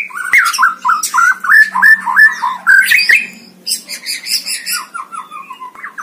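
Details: White-rumped shama at a singing competition, offered as a training recording: fast repeated chattering notes, about three per second, that dip and rise, followed by a softer, descending series.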